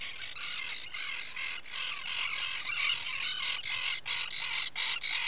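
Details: Atlantic puffin in a nesting burrow, breeding colony on Seal Island National Wildlife Refuge, Maine, 12 July 2018 near dawn; fast series of high, rasping chirps, about two per second, growing louder and sharper toward the end.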